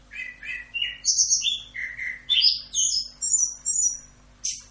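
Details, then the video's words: Orange-headed thrush singing a 'Rock'n Roll' tutor song: paired mid-pitched whistles that climb into high, fast trilled and whistled phrases, closing with a sharp high note. "MASTERAN ANIS KEMBANG FULL Rock'n Roll"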